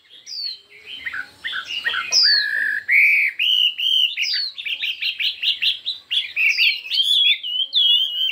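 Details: Contest song of a Chinese hwamei, varied in many voices and intense: begins with scattered downslurred whistles, then swells into a dense, loud stream of rapid warbled notes and clear whistled phrases that barely pause.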